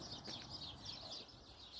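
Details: Many sparrows calling on a sunny spring morning from a rose bush beside a neighbouring house in France: thin, high chirps and twitters overlapping continuously at a distance.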